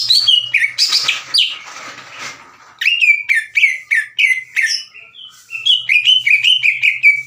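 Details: Green leafbird song used to stir rivals into singing: opening with harsh, noisy rasping notes, then a run of clear downslurred whistles repeated rapidly, with a faint low hum.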